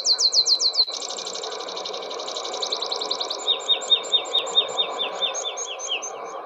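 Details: Meadow Pipit song, given in a parachuting song flight in which the bird rises high then drops straight down: thin, high notes repeated quickly in accelerating series, shifting from rapid tsip trills to slower, more spaced sweeping notes; steady background hum.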